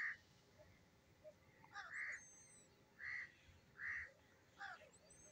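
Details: Black francolin calling in the morning: short harsh notes with a strong band near the upper-middle range, repeated roughly once a second in a loose phrase, over a low hiss, with faint thin whistles from other birds above.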